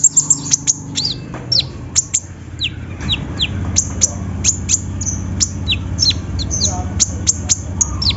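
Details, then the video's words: Lure recording of sunbird song to make a silent bird start singing: steady stream of thin, very high chirps and falling slurred notes, irregularly spaced, over a low rumbling background. "PANCINGAN KONIN SUSAH BUNYI!!"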